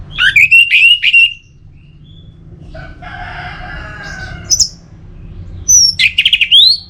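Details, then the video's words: Orange-headed thrush song used to encourage singing: looping whistled phrases, a rough buzzy middle passage, then sharp high notes and rising slurred whistles. "Pemancing Burung ANIS MERAH Agar Selalu Gacor"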